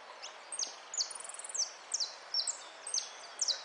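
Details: Contest singing of a European goldfinch, amarillo de repique style: rapid high notes sliding downward, broken by a short buzzy rattle, repeated every half second or so against a hiss of background noise.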